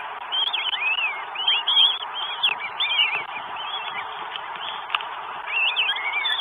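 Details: Northern goshawk with food, recorded 12 May 2022 in Estonia; wavering looped whistles in bursts, a quiet gap mid-way, then renewed calling, with a few clicks and constant hiss.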